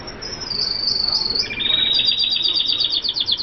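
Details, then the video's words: F1 hooded siskin singing: a high, sustained buzzy trill that shifts into a fast run of rapidly repeated bright notes, with faint background hiss. "Kaputzensijs F1 (Sound)"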